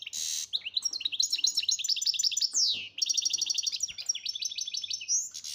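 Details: Algerian European goldfinch, called chardonneret major, delivers rapid liquid twittering song: quick chattering trills, sweeping downslurred whistles and a nasal buzzy note near the end, continuous and lively against a quiet background with a low hum.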